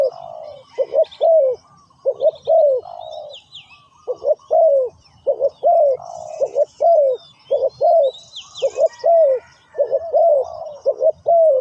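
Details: Ground-trapping decoy spotted dove calling wild birds, a long series of throaty coos in repeated phrases of quick double notes and a falling longer note, with brief high whistles of other birds overhead.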